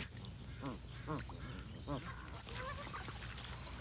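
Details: A few clear goose honks, nasal and spaced about half a second apart, then softer whistled notes from other birds over a low hum.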